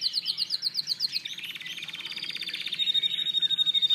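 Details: Canary song made of fast, sharp repeated notes in rolling trills, with a buzzy rattling section in the middle and a high, steady, metallic trill building in loudness toward the end.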